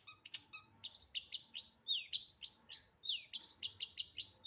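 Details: Long-tailed shrike singing actively in fast 'full isian' style: a varied mix of sharp high chips, slurred whistles and downward-sweeping notes tumbling quickly one after another.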